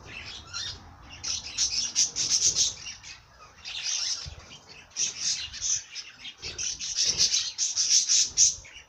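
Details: Bird song in lively high-pitched twittering phrases, dense bursts of rapid chirps separated by brief pauses, repeated through the recording; quiet background.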